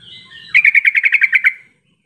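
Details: Lure call of a Sooty-headed bulbul, meant to make reluctant bulbuls answer. After a faint low hum, one quick burst of about ten evenly spaced, sharp chattering notes lasts just over a second and stops cleanly.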